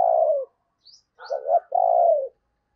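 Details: Decoy spotted dove calling to lure wild doves: a low, hollow coo with a short throbbing double note, then a long, steady, slightly falling coo, with faint high chirps from another bird between.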